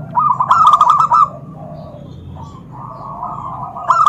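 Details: Zebra dove call meant to provoke other doves into answering: a loud burst of rapid, bubbling coo notes lasting about a second, followed by softer, more distant cooing phrases from other doves.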